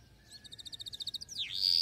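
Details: Canary song used for teaching young canaries to sing: a fast, even trill of about fifteen bright pulsed notes, then a sweeping downward-then-upward slur ending in a loud, sustained high whistle.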